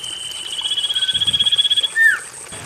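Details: Common iora singing, as a lure for birds that have stopped singing: a quick pulsed trill swelling in loudness for about 1.5 seconds, ending in one brief downward-slurred whistle, steady high hiss behind.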